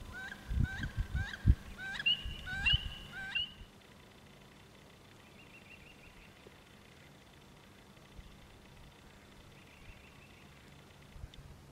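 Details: Wood ducks courting, recorded on 14 April. About six thin, rising whistled notes come in quick succession over the first few seconds, mixed with low thumps. After that the recording falls quiet apart from faint background hiss.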